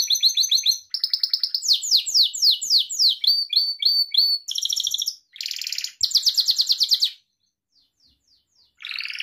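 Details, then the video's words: Pet Gloster canary singing a varied sequence of tours, each a quick repeated note type: clipped chirps, downward sweeps, a buzzy roll, then a pause with faint notes before another burst. Recorded for training canaries. "Gloster Kanarya Kuşunuzun Eğitimi İçin Orjinal Kanarya Sesi Gloster Kanarya Ötüşü Canary Singing"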